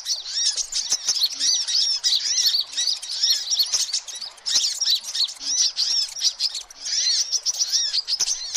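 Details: Hummingbirds in a noisy, busy chorus used as a lure for all kinds of hummingbird: dense high, thin chirps and quick rising-falling twitters overlap continuously, with a few faint clicks beneath.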